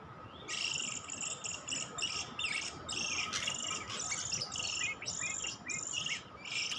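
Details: Oriental magpie-robin (kacer) lure sound: a near-continuous run of harsh scratchy bursts with brief rising whistles woven in, against a steady background hum.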